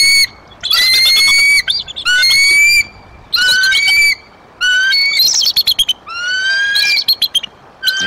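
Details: Adult bald eagles at their Decorah nest in April 2023, with warning and excited calls. Loud, piercing rising whistles come in long bursts, interspersed with quick stuttering chips, roughly one phrase every second.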